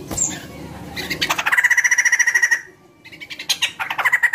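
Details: Used to get other birds singing, a white-crested laughingthrush gives a rapid pulsing rattle held for about a second, a short gap, then a second rattling burst.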